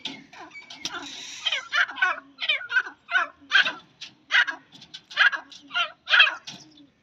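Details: Female grey francolin, a kept pet bird, giving a rhythmic series of harsh, broadband notes about twice a second, each note a short raspy burst with a fainter low murmur running underneath.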